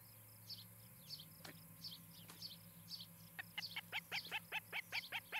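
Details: Ospreys at a nest in Charlo, Montana, filmed by a nest camera on a July 2018 evening: soft high chirps build into a loud, rapid series of descending, ringing whistled chips, about four per second, over a faint steady hum.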